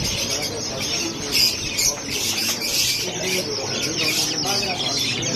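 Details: Baby chicken chicks chirping: a dense, continuous chorus of high, thin peeps overlapping one another, with a few brief louder bursts and a faint low hum underneath.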